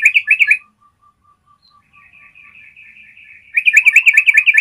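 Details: Clear long trill of a Yellow-vented bulbul for training songbirds: a short fast bubbly burst, then a faint even series of thin notes and a quiet warble, ending in a loud rapid chattering run.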